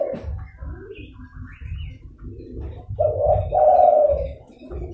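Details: Zebra dove lure call: after soft, low murmuring notes come two loud, rolling coos near the end, the second longer and warbled, over a background low rumble.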